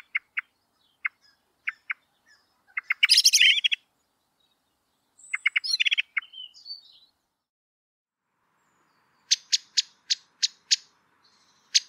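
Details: Eurasian blackbird (Turdus merula) giving sharp, clipped chinking notes with brief scratchy chatters in between.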